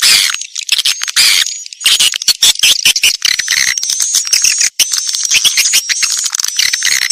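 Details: Edible-nest swiftlet lure calls for drawing swiftlets into farm bird houses: a near-continuous high, hissing twitter with a thin sustained whistle-like tone running above it, broken by a few brief dropouts.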